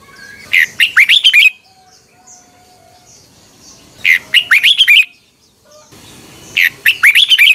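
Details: Red-whiskered bulbul singing in the morning, a lure song for training cage birds (2021): three clear bursts of quick, bright, slurred whistles, each about one second long, separated by near silence with soft background chirps.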